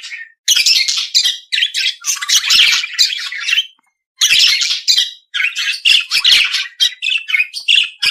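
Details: Budgerigar warble of harsh chatter and squeaky notes in long runs, broken by two brief pauses.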